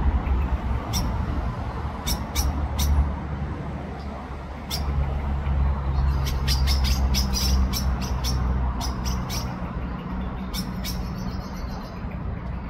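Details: Common blackbird at Ljubljana Botanical Garden on 17 October 2024 gives sharp, clicking chink notes, scattered then in quick bursts, over a steady low rumble of distant traffic.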